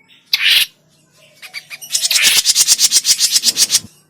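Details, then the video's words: Grey-cheeked bulbul lure call for trapping birds: one broad harsh squawk, a pause with soft clicks, then a long rhythmic rasping chatter of rapid repeated bursts fading at the end. "SUARA PIKAT CUCAK JENGGOT MINI"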